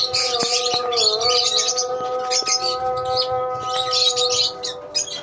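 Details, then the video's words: Many lovebirds in a colony chatter with sharp, high-pitched chirps, irregular and overlapping, a few louder clicks among them, against a steady low hum. "Love bird colony"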